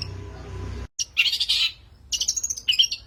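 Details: Long-tailed shrike master recording played to lure birds: after a second of low rumbling background, harsh scratchy chatters come in three short bursts of rapid grating notes with brief gaps.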